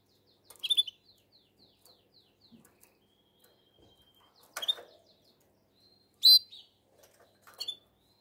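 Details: Canary singing in heat to attract the female, possibly in Shkoder, Albania: a rapid series of thin repeated high notes, then a drawn whistle, broken by loud sharp chirps and clicks in an otherwise quiet room.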